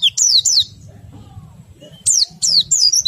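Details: Oriental white-eye nembak-style song, meant to prompt other white-eyes to sing: a few loud, high, steeply descending chirps, then a quiet gap with a soft low hum, then more sharp downslurred notes.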